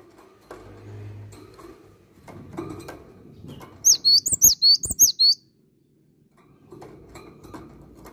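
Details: Cinereous tit singing one energetic phrase series of high, crisp two-note whistles repeated about six times, between stretches of low rustling and tapping noise.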